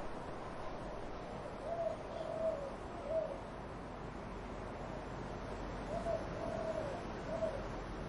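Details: Two phrases of dove cooing, each three mellow low coos, separated by a pause, with wind rustling in trees behind.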